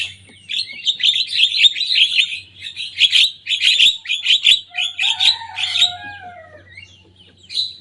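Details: Energetic young Javan myna copying its rivals' songs, pouring out fast rasping chatter, then a drawn-out lower whistle sliding gently down, ending with scattered thin notes.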